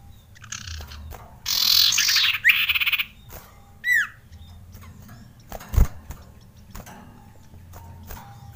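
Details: Male Common Iora (cipow) in breeding excitement: a long grating, buzzy rasp split by short pauses, then a single quick falling whistled note, a sharp click, and faint scattered chips over low background hum.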